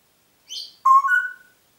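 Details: Congo grey parrot, pet bird in Diebach near Hammelburg, Germany, recorded 4 April 2012, whistling: a short higher squeaky note, then a clear steady whistle stepping up slightly in pitch, about one second long.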